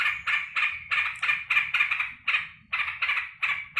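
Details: A pet sooty-headed bulbul welcomes its keeper back from work with rapid, rasping burry notes in quick, uneven bursts, each a short harsh chatter.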